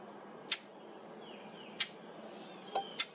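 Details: Brown thrasher giving an unfamiliar sound at a cemetery on July 8, 2023: sharp, dry smacking clicks at irregular intervals of over a second, with a faint soft whistle from another bird between them.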